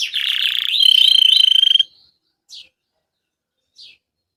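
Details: Gray Belgian canary song, played to stimulate a pet canary to sing; a loud buzzy rolled trill rising into a fast pulsed whistle, then two short separate downslurred notes after silence.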